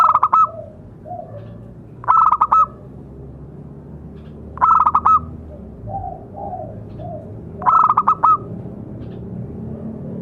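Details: Local male zebra dove in full song, used to train other doves and as therapy for caged doves: repeated short cooing phrases, each a few clipped notes followed by softer lower coos, about every two to three seconds, over a low background hum.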